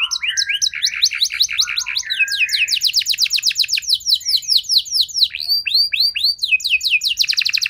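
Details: Canary pouring out a continuous long phrase: low warbled chattering rising into fast repeated high sweeps, then looping falling whistles and a rapid trill at the end.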